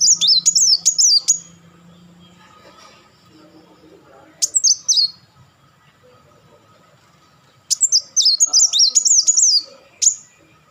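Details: Kolibri wulung, the Van Hasselt's sunbird, in repeated rapid-fire bursts: three runs of fast, very high, zigzagging twitters split by brief pauses, each ending with a sharp note.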